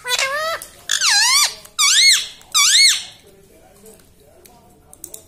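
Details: Pet green ring-necked talking parrot in a small room giving four loud, harmonic, arching voiced utterances in quick succession over three seconds, each rising then dropping, followed by quiet room noise.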